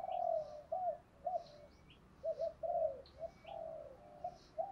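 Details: Distant spotted dove cooing from a lure set meant to rile rivals: a string of soft, wavering coos over constant hiss, with thin high chirps from other birds.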